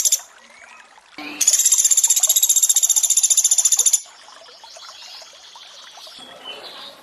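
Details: Sunda pygmy woodpecker in a 'tembakan' training recording mixed with water sounds: a short low note, then a high, rapid, rattling trill lasting about two and a half seconds, followed by water trickling.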